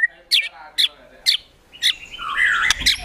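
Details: White-rumped shama in agitated gacor emosi mode with imitations of besetan, tembakan, sogon and kunti: four harsh sharp notes about every half second, then a buzzy warbled phrase.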